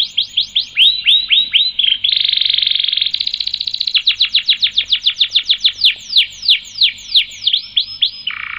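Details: Canary producing long rolling song for training other birds: repeated falling whistles, a dense buzzy trill, a higher fast trill, then a long series of evenly spaced slurred notes ending in a low buzzy phrase.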